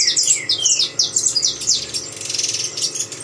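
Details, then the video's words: Saffron finch song opening with loud, bright downward-swept whistles and chirps, then shifting to a rapid, buzzy, evenly repeated trill in the final second. "canário da terra cantando"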